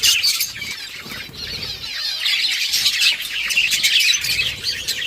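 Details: A flock of budgerigars playing with each other, October 30, 2023: nonstop warbling chatter with rapid high chirps, squeaks and scratchy notes from several birds at once, faint flutters underneath.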